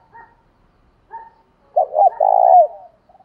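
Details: Calling spotted dove provoking a rival. Two soft, short hoots come first, then a loud paired coo. A long, rough, down-slurred coo closes the phrase.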